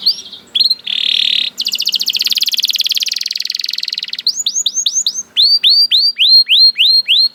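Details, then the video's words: Canary, called a lazy singer that starts up once it hears another canary: brief whistles, then a long fast buzzy roll lasting about three seconds, followed by a run of sharp upslurred notes, roughly three each second. "The Lazy Canary Sounds Immediately After Hearing the Sound of the Canary This One || Voice of Canary"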